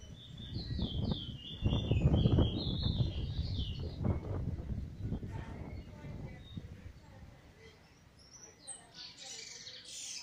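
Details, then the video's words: Eurasian bullfinch just out of molt, recorded 1 January 2022 singing a 'weet teeture' flute roll: a run of high whistled notes stepping downward at the start over loud low rumbling noise, then faint chirps. "singing weet teeture/flute roll"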